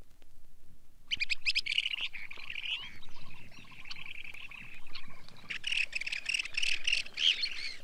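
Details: Long-billed Dowitcher calls from a Soviet sound guide of waders: after a second of silence, a dense, continuous chatter of high, sharp notes sets in, swelling and fading in waves, with several birds calling at once.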